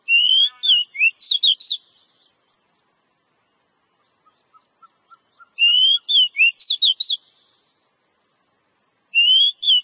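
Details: Oriental magpie-robin (kacer) song used to encourage caged birds to sing: bursts of rising whistles and quick sweeping notes with scratchy bits, repeated about every four to five seconds, a faint ticking series between phrases.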